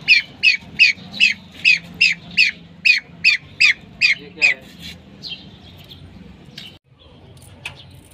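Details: Female common pheasant calling: a rapid series of about ten sharp, high, chirping notes, evenly spaced around three per second, then stopping, followed by faint background noise and a brief click.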